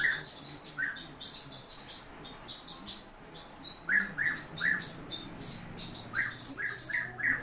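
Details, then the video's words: Several European bee-eaters call with rolled, burry notes in small clusters, louder toward the end. Continuous high-pitched twittering runs in the background. "Merops apiaster- Золотая щурка"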